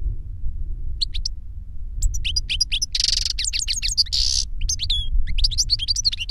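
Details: Goldfinch song from an older bird teaching a younger one: busy, liquid twittering with sharp chirps and two harsh buzzy notes, running almost continuously over a steady low rumble.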